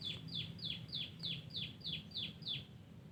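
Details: Terucuk, or yellow-vented bulbul, singing wild in a garden: nine clear, sharply descending whistled notes delivered evenly about three per second, with a faint low rumble beneath.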